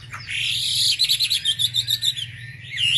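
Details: Wambi singing as a lure to provoke other wambi: a bright, high, buzzy trill broken into rapid pulses, ending with a rising squeal, over a faint low hum.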